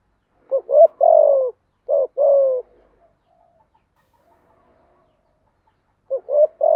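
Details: Spotted dove song used to train newly caught doves: two phrases of short rising coos, each ending in a longer descending coo, then several seconds of silence before the next phrase begins.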